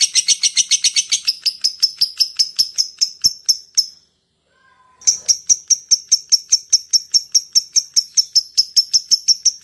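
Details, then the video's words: Lovebird in "ngetik" and long "ngekek" style, used to entice other lovebirds: rapid shrill chirps that thin out and stop for about a second of silence, then resume as an even, high-pitched ticking series. "SUARA LOVE BIRD ( LABET ) NGETIK, NGEKEK PANJANG AMPUH UNTUK MEMANCING LABET YANG LAIN"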